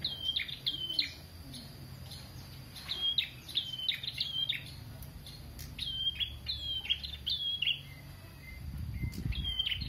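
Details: Prinia singing vigorously, used as a tutor recording: bright chirped notes near the upper-middle register given in quick clusters of two to four, repeated every second or so, with a soft low rumble underneath.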